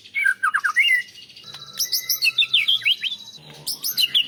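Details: A champion white-rumped shama, recorded as training audio with imitated phrases, opens with a burst of descending chirps, then gives a long whistle under quick rhythmic trilled notes and high slurred calls.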